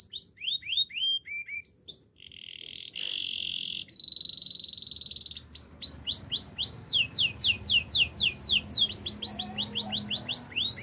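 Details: Canary singing a varied song: quick series of high descending whistled notes, a harsh buzzy roll, a steady trilled tone, then long runs of rapid repeated sweeping notes several per second.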